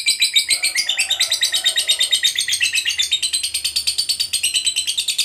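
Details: Lovebird in full 'ngekek' long trill, a song used to rouse other lovebirds: dense, shrill, rapid-fire pulses repeated without pause, loud and steady throughout, with faint low background sounds.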